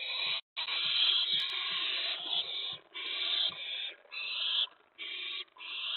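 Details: Owl at the nest during a predawn mouse delivery on May 15, 2017, 4:46 AM: long, nearly continuous harsh hissing screeches, broken by brief pauses, with faint low knocks underneath.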